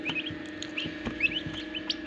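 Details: Newly hatching turkey chicks inside an incubator at a farm in Darrang, Assam, cheep busily, giving about a dozen brief high chirps, some rising and some falling, with soft taps and a constant motor hum beneath.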